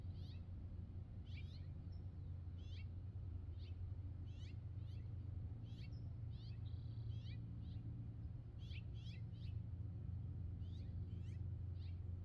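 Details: California scrub-jay perched on a wire giving harsh, rasping notes, often in quick pairs or threes, every second or so over a steady low rumble of traffic or wind.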